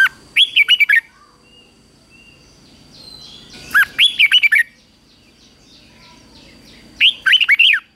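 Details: Red-whiskered bulbul in 2024 morning singing practice for competition: three cheerful phrases about three seconds apart, each a quick string of five or six clear, wavering whistles.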